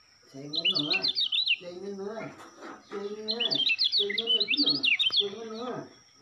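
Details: Lombok white-eye (kecial kuning), a Lombok bird groomed as a future singing-contest champion; fast runs of high, jumbled twittering notes, overlaid on a repeated low, nasal, harmonic chatter in several bursts.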